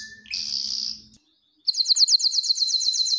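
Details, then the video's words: Canary singing for training and to excite hens for breeding: a short high whistled phrase, a pause, then a fast run of bright, sharply repeated chirps descending in each note. "تغريد كناري للتسميع و تهييج الانات للتزاوج حصريا - canary singing training"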